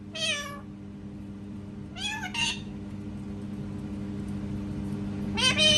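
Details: Parrot copying a cat's voice: three bursts of strained, wavering meows, the middle one doubled, spaced about two seconds apart over a constant low hum.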